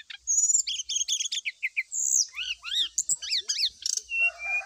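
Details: Lure song of the brown-chested jungle flycatcher, used during early morning dew airing so a kept bird starts singing its varied phrases. A fast, busy run of sharp chirps, upswept whistles and trills, with clear notes packed closely together and a steady high hiss behind.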